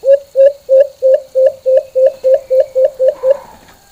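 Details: White-eared brown dove (alimokon), its full, normal call: a steady series of twelve short, low hollow hoots, each about a quarter second apart. The last notes fade as a faint higher sound rises at the end.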